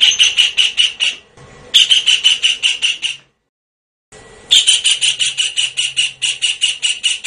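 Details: Lure call of the blue-eared kingfisher: three strings of thin, shrill notes, each fast and evenly spaced, with short pauses and one silent gap between them.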